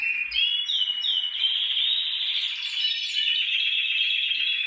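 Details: Song of a canary used to encourage singing in other canaries, opening with a few swooping whistled notes, then running into an extended rapid rolling trill.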